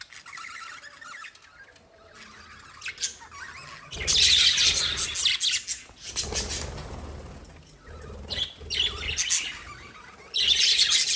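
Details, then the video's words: Pet lovebirds chirp and squawk in shrill, high bursts, loudest in clustered outbursts with quieter chatter between. "CuteBirds Sound Relaxation"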